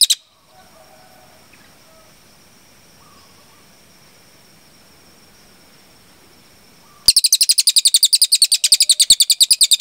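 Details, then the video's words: Velvet-fronted nuthatch (cililin) tutor recording: a lone chip, then about seven seconds of near silence with faint background sounds, followed by a sudden fast, even run of shrill high chips to the end. "MASTERAN CILILIN GACOR JERNIH TEMBAKAN PANJANG"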